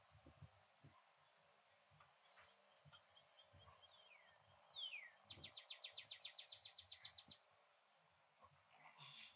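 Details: Rare yellow-coloured northern cardinal in a backyard in Port Saint Lucie, Florida, recorded on an iPhone: a few sharp downslurred whistles, then a rapid run of about a dozen evenly repeated notes lasting two seconds, over soft outdoor background noise.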